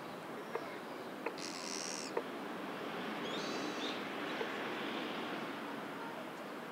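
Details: Japanese pygmy woodpecker calling while excavating a nest hole in a tree, recorded with a Sennheiser MKE 400 II external microphone; two harsh, buzzy, high squeaky calls, with sparse sharp tapping knocks and steady background hiss.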